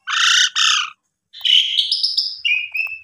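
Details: An Asian pied starling, in a recording meant to prompt silent birds to sing, gives two harsh, grating notes, a short pause, then a run of clear whistles, rising at first before settling into a steadier, lower whistle.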